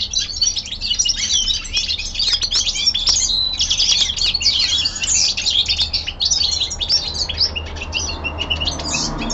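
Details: Winter descant from a young male common linnet kept at home: a dense, high, chattering run of chirps and trills that thins toward the end, over a low steady hum.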